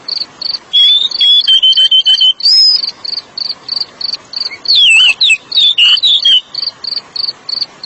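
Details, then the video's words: Kacer, the oriental magpie-robin, in therapy song for stressed birds: varied whistled and slurred phrases over a steady insect-like chirping, pulsed about three times a second, throughout. "TERAPI SUARA BURUNG KACER YANG STRES"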